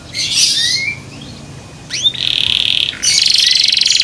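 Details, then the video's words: Song of a kept canary, said to make others join in: buzzy high bursts, a thin rising whistle, a sharp upswept note into a steady buzzing tone, then a dense metallic trill. "THE SOUND OF CANARIES CAN MAKE OTHER CANARIES JOIN TO SING"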